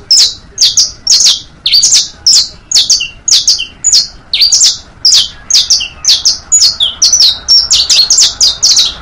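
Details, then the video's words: Long stretch of saffron finch song for teaching youngsters: about two chirps a second, bright high notes and falling slurs, some doubled, steadily repeated for nine seconds with no pauses. "Una hora de Cantos para enseñar canarios, bastos, pintos, finos... (Sicalis Flaveola)"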